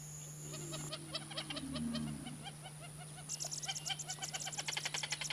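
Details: Wattled jacana (Jacana jacana) call from Brazil: a fast series of sharp, clipped notes, about five per second, breaking into a denser, higher chatter, over a steady low hum and thin high whine.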